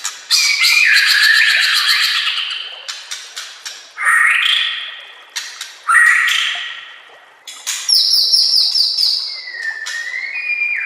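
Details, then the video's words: White-rumped shama song used as a master recording to train other shamas: loud varied phrases of harsh rasping notes, sweeping whistles and sharp chips, with quiet gaps between bursts. "Masteran murai AMPUH"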